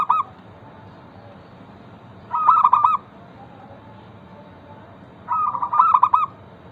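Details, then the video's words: Local zebra dove singing a lure song meant to prompt other zebra doves to sing: two cooing phrases about three seconds apart, each a quick stuttering run of soft notes sliding into a rolling trill, over a low steady hum. "Perkutut lokal gacor pancingan ampuh Suara disukai burung perkutut bikin cepat bunyi langsung nyaut"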